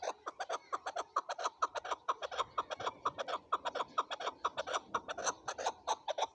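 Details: A male chukar gives a steady stream of hard, clucking chuk syllables in quick succession, about four per second, mid-pitched with a slightly brighter edge, running without pause.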